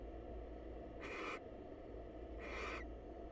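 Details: A wild barn owl female calls while visiting the male to say hello at a research nest box. Two rasping, hissy screeches about 1.4 seconds apart are heard against a steady low drone.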